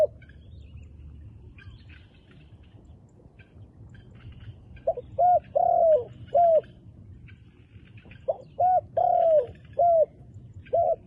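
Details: Wild dove with handsome dark black plumage giving low hollow coos after several quiet seconds: two phrases, each a quick doubled note and a longer coo that slides downward, then shorter notes, over faint rural background hiss.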